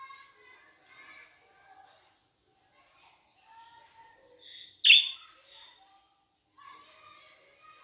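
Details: Budgerigars in a garden chatter in soft, scratchy warbles and chirps, broken by one loud, harsh squawk near the five-second mark.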